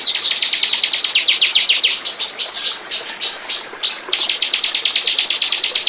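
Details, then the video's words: Bar-winged prinia singing, recorded as a lure for attracting birds. Quick, even, high-pitched chipping notes come in two strings separated by a slower, smeared stretch around the middle. "Burung. burung ciblek pancingan"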